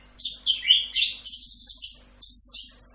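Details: Orange-headed thrush in full rock'n roll tutor style, singing dense high warbles and squeaky twittering phrases almost without break, some notes swooping down, over a faint low steady hum.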